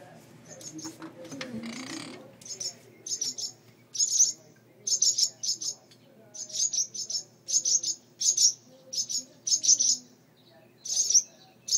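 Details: Birds nesting in a mud nest on a front porch light fixture, two chicks inside, agitated whenever the front door opens. Sharp, very high chirps in rapid bursts, nearly nonstop after a brief low rumbling noise near the start.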